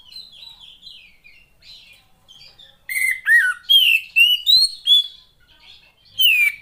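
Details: Oriental magpie-robin female, used to coax males that rarely sing: soft high warbling at first, then a run of loud slurred whistles, several dropping in pitch, followed by one final falling whistle.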